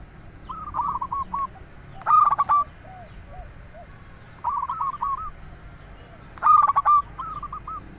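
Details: Zebra dove, local type, singing as a lure: softer rolling coo series alternate with two loud, rapid cooing bursts, as several doves call back and forth.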